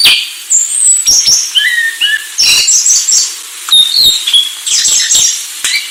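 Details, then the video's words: Anis Sulawesi delivering a rich, varied song of short whistles, slurred notes and sharp high chips in quick succession. "Anis Sulawesi"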